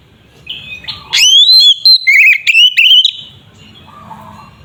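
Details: Kacer, the white-rumped shama, in a fighting song used to provoke rival shamas: a rising whistled sweep, then bursts of clear whistles and warbles in a loud phrase lasting about two seconds.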